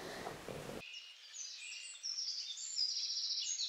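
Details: Eurasian Blackcap song, recorded with a homemade parabolic microphone. A short burst of broadband noise comes first, then quiet, high, rapid warbling notes with scratchy chatter that grow a little louder toward the end.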